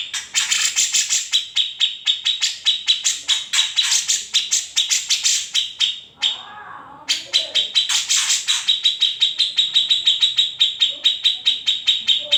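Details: Unedited recording of a grey-cheeked bulbul, kept as a master song for teaching other songbirds: dense, fast, piercing high chattering and trilled notes, broken by a brief pause near the middle before the rapid bursts resume.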